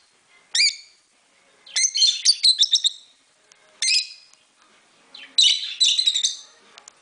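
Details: Pet lovebirds flying free in a house give harsh, shrill chirps in short bursts, with budgies chattering alongside.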